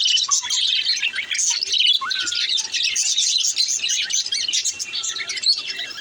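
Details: Baby budgerigar singing: dense, high-pitched chirping and warbling chatter that runs without pause, with a few short whistled notes rising and falling below it.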